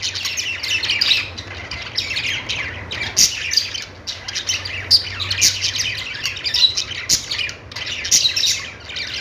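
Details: Steady budgie chatter of high, scratchy chirps and squawks, coming in clustered phrases every second or so from several birds, with a low hum behind.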